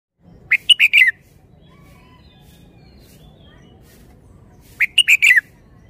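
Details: Caged red-whiskered bulbul singing two short phrases of quick, bright, chirpy notes several seconds apart, each a burst of four clipped syllables, with quiet background between.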